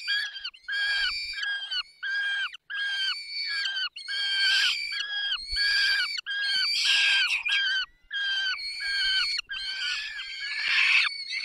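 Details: At a peregrine falcon feeding in the Barycz Valley, 20 May 2021, 10:22, a run of rasping, strongly harmonic squealing calls comes in quick bursts with short gaps, growing louder and more tangled toward the end.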